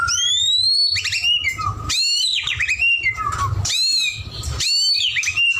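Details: White-rumped shama singing vigorously: loud, clear whistled phrases sweeping up and down, each lasting about a second with short pauses, rich in varied slurred notes and quick trills, over faint low background rumble.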